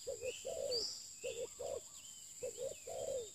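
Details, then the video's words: New spotted dove kept as a lure bird, repeating a three-part coo about every 1.2 seconds: two clipped notes and a drawn-out descending note, with scattered twittering from other birds and a constant high hum. "pikat terkukur"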